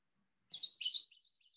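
Kentucky Warbler giving a brief burst of its rich, rolling song, two loud slurred 'cherry' phrases followed by fainter trailing notes.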